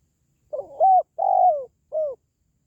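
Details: Spotted dove, a call used to boost pet doves or attract wild birds: one clean phrase of low coos, a stammered opening note, a strong round coo, a drawn-out purring coo falling in pitch, and a short closing note.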